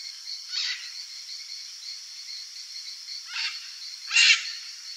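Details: Green-winged (red-and-green) macaw, said to be a mother feeding her chicks, gives three harsh, raspy, unevenly spaced squawks, the last loudest, over a steady high insect hiss.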